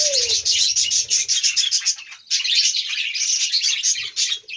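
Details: A colony of about 30 pairs of budgerigars, kept with pigeons, fills the air with high, scratchy chirps and warbling chatter.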